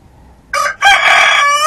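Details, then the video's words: Domestic rooster, one of two crowing roosters, a red one and a speckled one: a short harmonic opening note, a brief gap, then a loud, sustained, strained crow that runs to the end of the clip. "dos gallos cantando"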